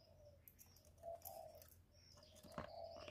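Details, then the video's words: Spotted dove coo used as a lure for trapping and to excite kept birds. Three low, hollow, drawn-out coos in a row, with faint chirping birds and a brief click behind them. "Tiếng cu gù cực chuẩn dùng đi bẩy, kích chim nhà hiệu quả"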